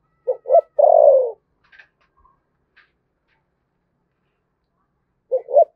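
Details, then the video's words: Spotted dove (cu gáy) from Đồng Nai, Vietnam, cooing in the 'thổ sấm' voice style with 'thúc gù' delivery: two short quick notes then a long, falling, drawn-out coo, with a second phrase starting near the end; otherwise quiet. "cu gáy giọng thổ sấm Thúc Gù bài bản chuẩn nhất Đồng Nai"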